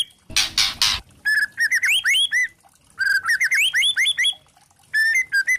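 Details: Murai batu trotol, a white-rumped shama, in a provoking lure song. A harsh scratchy burst is followed by quick bursts of looping, swooping whistles separated by short pauses.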